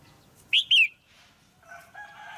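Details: Caged female red-whiskered bulbul calling to stimulate a male or for pairing, with two bright, quick whistled notes falling in pitch. A lower, drawn-out harmonic call from another bird follows.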